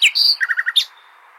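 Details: Short nightingale phrase meant to tutor goldfinches: a high falling note, a level whistle, then four or five quick lower repeated notes and a final sharp upslurred note.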